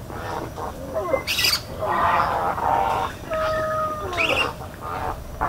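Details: Spoonbills in Everglades National Park give harsh, rasping squawks and low grunts in irregular bursts, while clear whistled notes from other birds cut through.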